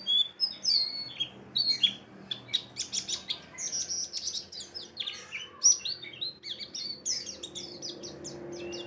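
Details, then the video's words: White-eye lure song to prompt a rival to sing in ngalas and wiksar style: clear, high, fast chirps and twitters in quick succession, with a faint low hum underneath. "PANCINGAN PLECI BAHAN JANATAN PASTI BUKPAR,NGALAS,WIKSAR"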